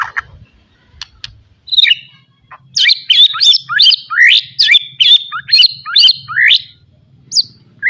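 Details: Caged white-rumped shama singing a full-content song meant for training young birds: a run of loud, sharp chirped notes, rising and falling, repeated about two to three times per second, over a faint low hum.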